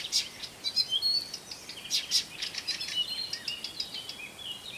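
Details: Blyth's reed warbler song, a species of gardens and woodland edges known for borrowing other birds' calls, heard as a lively stream of high chips, thin whistles and scratchy twitters changing every fraction of a second.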